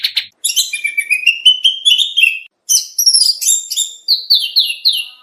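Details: Oriental magpie-robin giving a masteran training song for songbird contests, rich in varied material. A fast run of bright, high whistled and chattering notes, short pauses near the start and middle, then sliding, downward-slurred phrases repeated several times; no other sounds.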